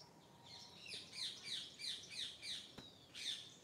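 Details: A bird singing in the morning: a series of bright, high chirping notes repeated about three times a second, with a brief pause and a click before one more note, over faint background hiss.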